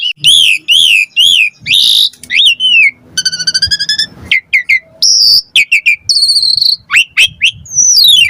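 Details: Asian pied starling singing full varied gacor song for tutoring other birds: wavering whistled loops, a rapid buzzy rattle, sharp upslurred and downslurred whistles, changing phrase every second.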